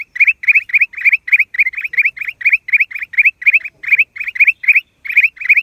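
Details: Black-crested bulbul, April 2023, giving a fast, unbroken string of brief two-part chirps, nearly four per second, clear and even against a quiet background.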